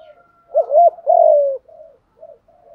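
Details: Spotted dove cooing, used as a lure to stir decoy doves into calling: a quick two-part mellow coo followed by a longer drawn-out falling coo, then soft trailing notes, in a quiet setting.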